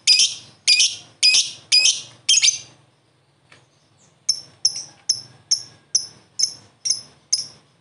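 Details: Young prospect lovebird joining in within a minute to answer another lovebird with a long 'ngekek' chatter: five shrill, harsh, evenly spaced notes, a short pause, then nine more in a quicker, steady series.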